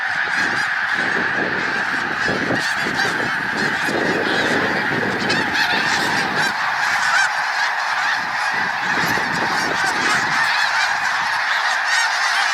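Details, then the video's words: Snow geese by the thousands lifting off from resting water and passing overhead, their calls forming a steady wall of overlapping honks, with low fluttering and rushing sounds from wings beneath during the first ten seconds. "Snowstorm in the Sky: The Breathtaking Flight of Snow Geese Overhead"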